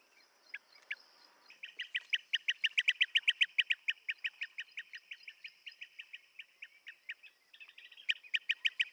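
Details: Blue-tailed bee-eater giving a fast series of short, bright chirps that build into a dense rattling run, then slow and thin before a final burst; a steady high hum runs underneath.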